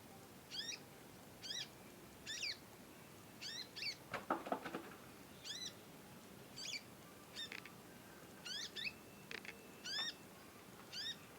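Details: Young conin practising its song, calling long and often, recorded as a master track for teaching birds. It gives a quick series of short, hooked, high chirps, often doubled, with a brief rustling burst midway.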